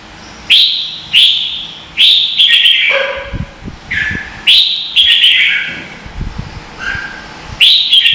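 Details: Red-whiskered bulbul singing in contest, Vietnam, decoy song for training birds: loud chirpy whistled phrases repeated roughly every second, some dipping lower, with soft clicking noises underneath.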